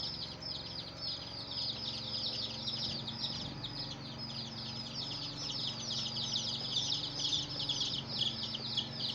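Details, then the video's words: Hen's chicks chirping in a steady, crowded chorus of high, quickly falling peeps, over a low rumbling background that swells briefly partway through. "Hen Murgi Baby "Chicks Chirping" Sound"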